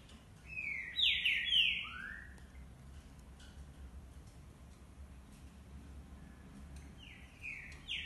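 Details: Green-winged saltators singing: a burst of rich, slurred whistled phrases with a lower upswept note follows after a second, then a quiet gap before another short run of clear whistles near the end, over a steady low rumble.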